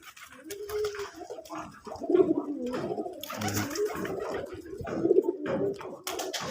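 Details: Local deshi pigeons of the Putul Golla type cooing indoors in a small room: low, throaty, rolling coos, several overlapping and repeated irregularly, with faint room noise and rustling.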